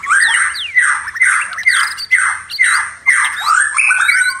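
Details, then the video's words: At night a white-rumped shama repeats harsh, rasping squawk-like notes about every half second, each a broad grating burst, with thin high whistles above. "murai batu tetap gacor di malam hari"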